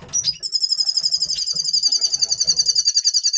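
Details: A double pastel red siskin in pre-breeding condition, November 2023, gives a sustained buzzy trill: fast, even, high pulses running steadily for three seconds after a short opening chirp.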